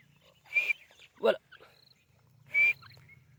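Grey francolin, a female, giving three harsh, scratchy notes, each with a thin high ring, spaced unevenly over three seconds above a faint low hum.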